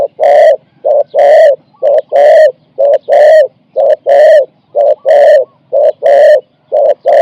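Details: Decoy spotted dove calling to draw in wild birds, giving 4–5-note coo phrases. Loud, hollow, mellow coos about once a second in a steady, regular rhythm, with only a faint low background.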